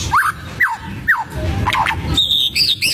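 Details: White-rumped shama singing to provoke rival birds: three loud falling whistles, a rough middle phrase, then high looping whistled notes over background noise.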